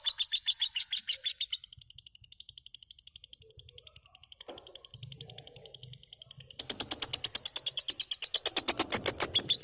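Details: Cobalt lovebird, a happy pet bird, chirping in rapid high repeated notes that soften midway, then grow louder and denser near the end, with light handling noises in the room.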